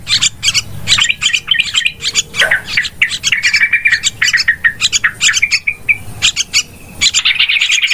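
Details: Yellow-vented bulbuls in a noisy chorus used as a trapping lure give bubbly, chattering notes and short liquid phrases that overlap almost without pause.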